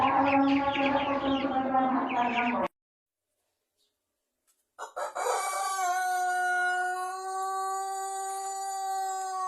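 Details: Pelung rooster of Plered, Purwakarta: a noisy, choppy burst of calling, then a pause, then a long drawn-out, even crow sustained for several seconds to the end.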